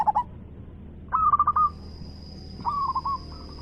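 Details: Big-voiced local zebra dove singing actively: a brief opening coo, then two rolling phrases of quick, evenly spaced purring notes about a second and a half apart, with a faint high electronic tone in background.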